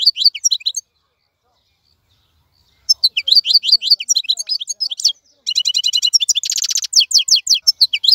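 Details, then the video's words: European goldfinch, a wild bird held in a cage, sings a short twittering phrase, falls silent, then pours out a long run of lively chirping, rapid trills and a harsh buzzy segment. "مقنين خلوي يغرد بصوته النظيف, تغريد حسون بري دون توقف"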